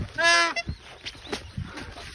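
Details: Angry magpie goose attacking a dog: a loud, harmonic, nasal honk lasting about a quarter second, followed by fainter scuffling and short low noises.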